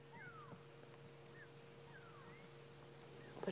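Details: At sunrise on 19 June 2016 in Sabi Sand, go-away birds give faint, nasal, slurred calls that sweep down and then up, a few times over a steady electrical hum; these are contact calls between birds, not alarm calls.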